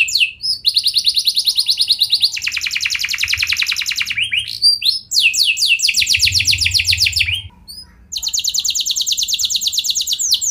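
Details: Canary delivering lure song meant to make other canaries sing long rolls: alternating very fast buzzy trills and rolling phrases of swept whistled notes, broken by two short pauses, bright and high-pitched throughout.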